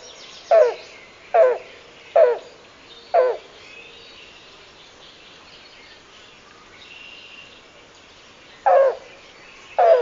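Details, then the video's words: Yellow-billed Cuckoo giving its hoarse cooing song of hollow cow notes: four spaced under a second apart, a long pause, then two more, over a faint background hiss. "Listen for its hoarse cooing song and knocking calls."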